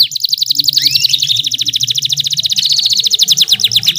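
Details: Female canary sound used to draw song from male canaries: a continuous, rapid, pulsing trill with a single rising sweep near the start, over a steady low hum.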